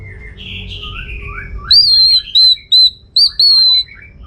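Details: Orange-headed thrush in lively song, used as a lure to make other birds answer: a few slurred, descending whistles, then a run of clear, ringing arched whistles repeated in quick succession.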